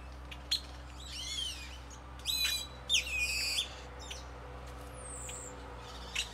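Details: Birds in a tropical tree in Nayarit, Mexico: loud, sweeping, wavering whistles and ringing falling notes, interspersed with short chirps and a thin high call, over a steady low background hum.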